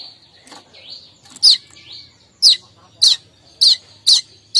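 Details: Streaked weaver giving its morning chattering call, used to lure other weavers: sharp high chirps repeated roughly every half second to second, with fainter thin notes between them.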